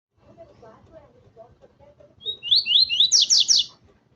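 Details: Male double-collared seedeater singing excitedly at a loose female: after soft low chatter, a loud phrase of quick slurred notes sliding down, then several rapid buzzy high strokes, about a second and a half long.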